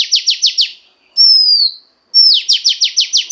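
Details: Female Oriental magpie-robin voice used to stimulate a male: rapid buzzy downslurred notes repeated about five times a second, then a long clear whistle sliding down, then another fast burst of repeated buzzy notes.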